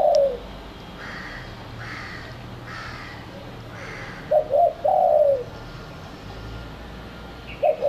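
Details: Spotted dove used as a lure to attract other doves: a few low, soft coos near the end, with faint repeated higher notes earlier and a steady low hum in the background.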